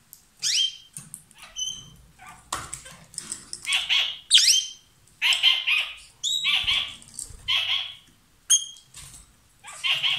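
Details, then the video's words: A pair of lovebirds sings loudly while possibly kissing or sharing food. Harsh, buzzy chattering calls repeat about once a second, mixed with brief whistled notes. "Gli inseparabili | 20minutes Love birds Sound"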